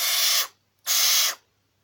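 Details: Captive female barn owl, grumpy while being tickled during early glove training: two long, harsh, breathy hisses, each about half a second, separated by a brief silence.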